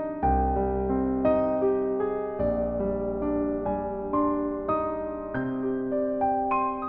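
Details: Gentle piano music plays slow, sustained chords and melody notes, with no birds or other animals audible.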